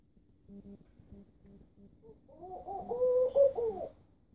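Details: Laughing dove in Istanbul, Turkey: several soft, evenly spaced low pulsing notes first, then a louder bubbling coo phrase of rounded notes rising and falling over about a second and a half.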